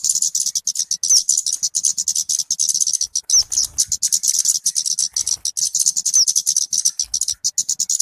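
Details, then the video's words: {'caption': 'Talokan, also called kemade, used for bird luring or tutoring: an unbroken stream of fast, shrill, ticking notes forming a continuous high trill throughout.'} "SUARA BURUNG TALOKAN/KEMADE COCOK BUAT PIKAT ATAU MASTERAN"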